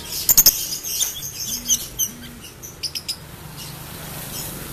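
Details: Home-kept 'ombyokan' lovebird, a cheap unpedigreed cage bird, aiming for ngekek, the long trill. Sharp, very high chirps cluster early, followed by scattered short clicks and squeaks and a faint low hum.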